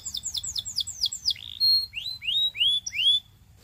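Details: Belgian canary singing: a run of quick downward-sweeping whistled notes, then longer rising slurred whistles with a sustained steady tone; clean, with no other clear sounds.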